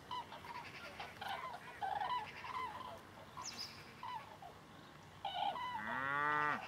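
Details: Common cranes migrating southbound over Jouy in Berry, Cher, France, part of a passage of over 5000 birds: overlapping rolling, trumpeting calls from the flock in bursts, followed by a rising, whining mechanical hum near the end.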